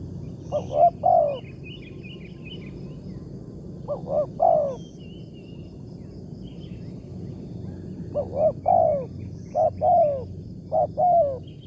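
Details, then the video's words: Wild spotted dove with a big 'tarik akar' voice, heard on a morning trapping outing with a decoy bird. Repeated phrases of quick short notes ending in a drawn-out descending coo, four bursts spread across the recording, with faint distant chirps. "TEKUKUR SUARA BERSAR"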